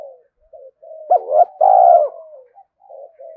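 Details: Spotted dove in quick 'thúc gù' cooing used to excite other doves: soft mumbled notes, then a short sharp note, a rising hollow coo and a long sustained loud coo, followed by quieter murmurs.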